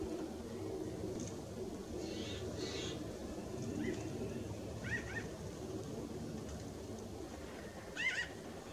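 Pinyon jays give a few short, nasal, mewing calls in scattered bursts over a strong low rumble of wind or background noise.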